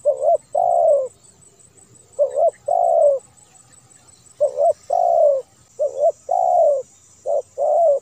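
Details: Spotted dove song, edited clear and used to lure home-kept and wild doves: repeated low cooing phrases, each a short note then a longer descending coo, steady over eight seconds.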